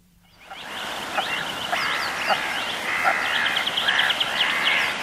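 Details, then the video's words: Goosanders calling in flight near Inverness, Scotland: harsh, rattling croaks in quick, uneven bursts over a steady rushing background of wind or water. "Goosander. Calls In Flight."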